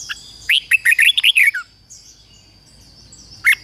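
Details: Decoy red-whiskered bulbul singing to call in wild birds, giving a rapid chain of six or seven rich, rolling whistled notes in about a second, then near-silence, then one more loud note at the close.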